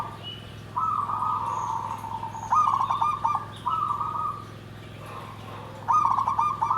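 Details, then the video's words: Perkutut, the zebra dove, delivering 'nggandem gedhe garing' song: four separate rolling coo phrases, each with a quick stuttered start then a sustained vibrating note, spaced about a second apart against constant low background hum. "SUARA PERKUTUT"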